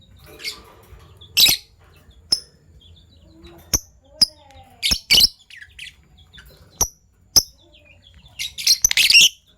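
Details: Fischer's lovebirds, violet and gold opaline colour forms kept as pets, chirping in the morning: sharp high single chirps and harsh clustered bursts at irregular intervals, ending in a dense chattering flurry.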